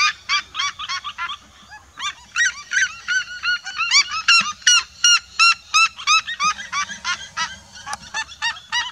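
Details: Flock chorus of red-legged seriemas, a continuous, rhythmic series of loud yelps from several birds, dense overlapping notes building through the middle of the passage.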